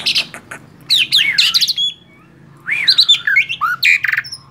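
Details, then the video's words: Tame male black-winged starling giving two bursts of song: chattering, scratchy notes and looping whistles, separated by about a second of quiet. "JALAK SUREN JINAK GACOR MASTERAN"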